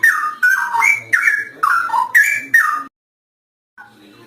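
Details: Straw-headed bulbul singing: a burst of six loud, mellow whistled phrases, each dropping in pitch, spaced under half a second apart, followed by silence and a faint closing note.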